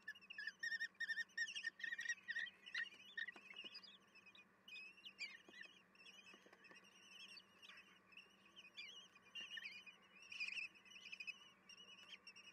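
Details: Wild common kestrel nestlings being fed at the nest, 10 June 2022 at 18:30: a chorus of shrill, quavering begging cries, loud and dense at first, then sparser, with a steady background hum.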